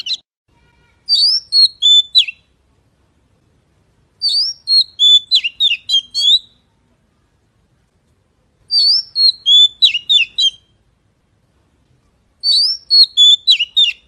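Magpie giving bright, high whistled phrases of quick chirps and slurred notes, each about two seconds long, repeated every three to four seconds against a quiet background.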